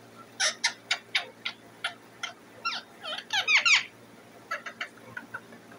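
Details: Pet parrot sitting on its cage calling to be fed: a run of sharp squeaky notes, then a quick cluster of rising and falling whistled squawks, then fainter squeaks, indoors.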